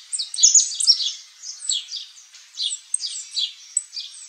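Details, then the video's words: Saffron finch, also called canário-da-terra, singing a run of high, thin chirps and short twittering phrases in bursts, with brief pauses between groups of notes; no other sounds stand out. "CANTO do PÁSSARO CANÁRIO-DA-TERRA (SICALIS FLAVEOLA), SAFFRON FINCH"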